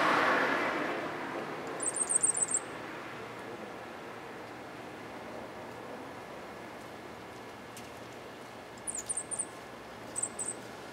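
Cuban grassquit giving its 'hammer and bell' song type: three short bursts of very high, thin, buzzy trills, spaced several seconds apart, over a steady background hiss.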